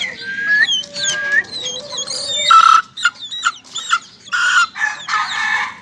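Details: Young ayam ketawa (laughing chicken) crowing: after whistled notes, a rapid run of loud, broken, chuckling bursts from about 2.5 seconds onward, pulsing roughly every half second, amid overlapping whistled calls of other birds.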